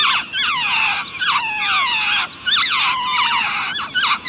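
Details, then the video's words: Nestlings being fed by their mother produce long, wailing squeals that slide downward in pitch, in two or three drawn-out bursts that run together. "Mother Bird Feeding To Her Chicks"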